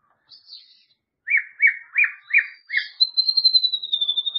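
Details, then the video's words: White-rumped shama song, played as a remedy for a shama that is reluctant to sing: a faint high note, then four clear whistled notes near mid pitch, then a long bright high whistle with a rapid quavering pulse. "MURAI BATU MALAS BUNYI"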